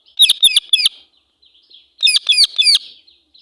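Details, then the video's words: An angry female Indian ringneck parakeet screaming in two quick bursts of three or four grating, ringing notes, with soft chatter in between. "Female Parrot Sound (Angry Voice)"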